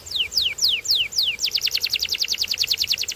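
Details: A singing canary gives five slow, downward-slurred whistles, then switches to a quick rolling trill of rapidly repeated notes.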